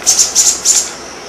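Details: Euphonia, a Brazilian bird, singing: five very high, thin, quick chips in uneven pairs within a second, over faint background hiss.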